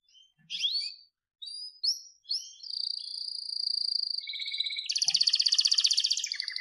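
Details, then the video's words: Pied blorok white-rumped shama from captive breeding, in a masteran recording: twisting whistled notes, then a long steady high trill that shifts into a dense, harsh buzzing rattle. "Masteran Murai Batu Blorok Suara Jernih"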